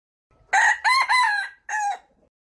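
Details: A red junglefowl crows: a loud, harsh, multi-part crow of three quick rising-and-falling syllables followed after a short gap by a final shorter note.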